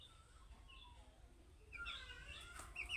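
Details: Budgerigar chick giving calling-style chirps that the owner says make other budgerigars answer. Faint at first, then a burst of bright, rising and falling chirps in the second half with harmonic overtones, over low background hum.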